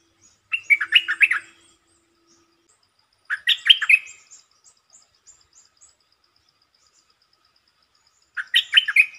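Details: Red-whiskered bulbul singing short, pleasant phrases that open quickly: three bursts of rapid, jumbled whistled notes spaced several seconds apart, with a faint steady high ticking in the background.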